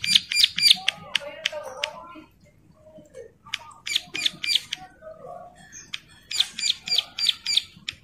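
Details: Bar-winged prinia female in breeding condition, calling while other females reply; rapid runs of thin, high ticking notes in several bursts, with softer lower chatter between them.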